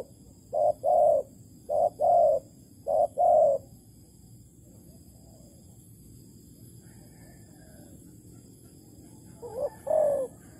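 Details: Spotted dove of the Malaysian type, trapped with plain bait, 11.08.2020; three quick short-long coo pairs, a silent pause of several seconds, then the doubled coo resumes once near the end.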